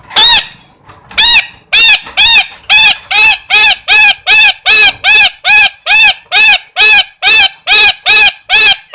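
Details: Parrot repeating loud, arched, honking squawks in a steady rhythm, more than two per second, without stopping, bright and harsh with strong overtones.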